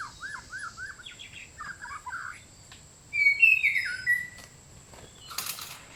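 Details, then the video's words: White-rumped shama song used as bait for bird trapping: soft looping notes, then a loud, clear run of bright whistles rising and falling, followed by quiet and a burst of hiss. "สียงนกกางเขนดง(บินหลาดง)เสียงต่อ คม ชัด"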